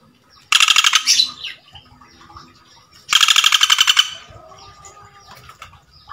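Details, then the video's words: Male Common Flameback calling energetically to a female: two loud, fast dry rattles, each about a second long, separated by a quiet gap with faint chirps from other birds. "Burung Pelatuk Bawang Jantan Gacor Memanggil Betina"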